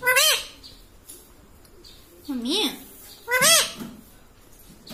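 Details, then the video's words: Three short, arched, whiny syllables from a pet parrot mimicking speech, spaced over five seconds with low background noise between them. "insaan ki tarah bolta tota - talking parrot"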